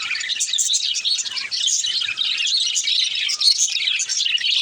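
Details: Baby budgerigar song: rapid, squeaky twitters and chirps packed closely together, with a brief dip in volume before resuming.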